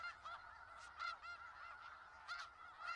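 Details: Snow geese in Skagit Valley, a large flock giving dense overlapping honking calls, nasal harmonic notes stacked continuously with louder bursts roughly every second.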